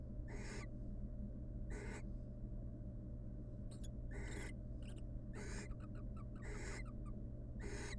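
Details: Female barn owl, wild, displaying to the male inside a nest box with eggs she incubates. A long series of short hoarse screeches at irregular intervals of about one second, some broken into rapid clicking fragments, over constant low hum.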